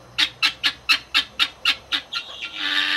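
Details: A flock of Helmeted Guineafowl (Numida meleagris) in sub-Saharan Africa gives harsh, rasping calls in a quick, even series of about nine per second and a half, then overlapping into a noisy chatter.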